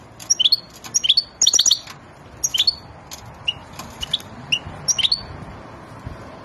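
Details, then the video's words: European goldfinch, said to be ready to mate, giving scattered high, sharp chirps and short slurred notes in small clusters with pauses between, quieter than full song, over steady low background noise. "حسون هائج ومستعد للتزاوج قمة الهيجان"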